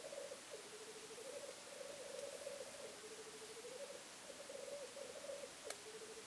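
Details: Black grouse at a hide, a weekend watch: steady low rolling bubbles in linked phrases, each swelling then dipping lower, with one sharp click near the end.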